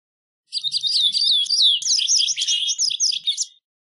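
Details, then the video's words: A White wagtail (Motacilla alba) sings a lively, twittering song: a three-second run of quick, high chirps and slurred notes, rapid and uneven, with no other sounds. "White Wagtail Song! White Wagtail Call! White Wagtail Sound- Lavandera Blanca Canto"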